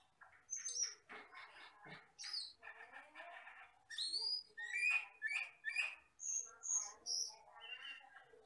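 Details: Forest-living Asian glossy starling used as a tutor song for cage birds: a varied jumble of thin high whistles, buzzy notes and sharp chirps delivered in quick irregular bursts, growing louder and more rhythmic midway through.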